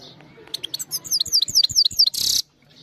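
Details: European goldfinch, trained and caged, sings into a phone camera: about a dozen bright, high downslurred notes in quick succession, then a short harsh buzzy burst.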